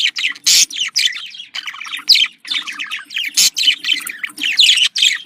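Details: Budgerigar contact calls, presented as happy: steady stream of quick, scratchy warbled chirps and rolling trills, with loud harsh noisy bursts near the start and middle breaking the chatter.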